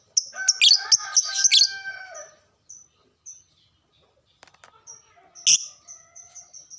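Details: Lure sound of caged lovebirds meant to excite others into singing: a dense burst of shrill, buzzy chattering for about two seconds, then spaced high chirps and a second loud squeak followed by quick twittering notes.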